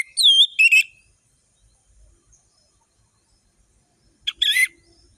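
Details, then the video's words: Varied song of an Orange-headed thrush, sung as a tutor for young birds: a looping whistled phrase with a rapid trill, silence for three seconds, then a buzzy chattering burst. "Anis merah gacor ngeplong full variasi"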